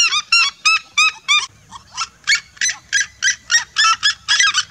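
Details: Vibrant group song of red-legged seriemas: rapid, loud yelping notes in quick succession, briefly softer in the middle before the flock's chorus builds again.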